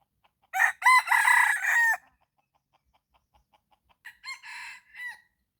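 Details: Red junglefowl crowing in the morning during jungle fowl decoy calling: a loud, harmonic, broken crow of several segments lasting about 1.5 seconds, then a second shorter crow after a pause, with soft clucks between.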